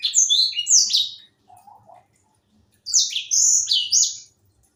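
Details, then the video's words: Young grey singing finch, kept as a cage songbird, delivering quick clusters of high sweet whistled notes, a soft low chirp in a pause, then another bright warbling phrase. "Burung sanger muda gacor"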